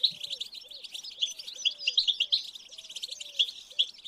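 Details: European goldfinch singing in a rich, rapid, liquid twitter of high chirps and short trills. Beneath it runs a regular low hooting note that repeats roughly every half second. Played to prompt a captive goldfinch to sing.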